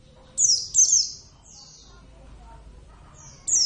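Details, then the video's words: Caged Javan white-eye (Zosterops palpebrosus javanus), raised from young, utters two quick high falling chirps and a softer trailing note, then silence, and another sharp high chirp at the end. "plecit gacor"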